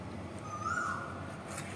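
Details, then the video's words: An Asian koel calls on a hot summer day: one clear, slightly rising whistled note lasting about half a second, faint over a steady low rumble. "দেখো কোকিলটা কিভাবে ডাকছে তো"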